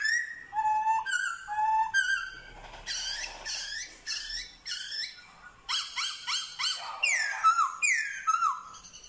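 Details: Singing Black-throated laughingthrush, Vietnam, mimicking dogs, cats and chickens: paired flat whistles, bursts of rapid harsh scolding notes, then loud falling whistled phrases repeated near every second.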